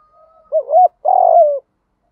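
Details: Spotted dove cooing, used as a lure to train caged birds to coo: two low, hollow coo notes, a short dipping one followed by a longer, slightly buzzy sustained coo, then quiet.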